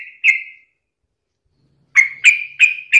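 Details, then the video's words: Sooty-headed bulbul singing briskly, used as a daily lure to make other bulbuls sing: a drawn-out whistled note, a pause of over a second, then four quick bright chirps in close succession. "KICAU SUARA trucukan gacor ini COCOK BUAT PANCINGAN HARIAN agar burung trucuk gacor & rajin bunyi"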